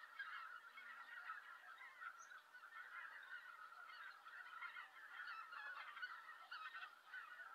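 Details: Many Greater White-fronted Geese arriving at their roost in Japan in November, noisy and excited; a steady wall of high, nasal honking from countless birds, with individual yelps standing out.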